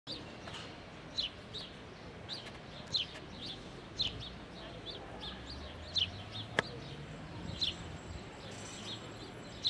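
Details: House sparrow (Passer domesticus) in Ljubljana, Slovenia, 29 May 2023, giving a steady series of short, bright chirps, roughly two every second, over a low rumble of distant traffic.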